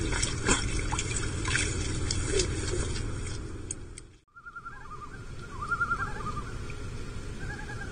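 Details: Common loons of a mating pair on Lake Vermilion, spooked by bald eagles flying over, abandoning their nest and fourth egg on a tiny rocky island, 14 July 2024. Rumbling noise fills the first four seconds, then a short gap, then quavering, wavering mid-pitched notes.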